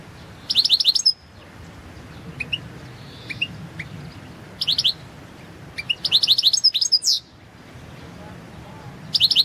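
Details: Balkan goldfinch (Carduelis carduelis balcanica) singing in a 2022 world championship goldfinch song competition from Serbia: high liquid twittering bursts and rapid trills separated by pauses, with a few soft chips between phrases.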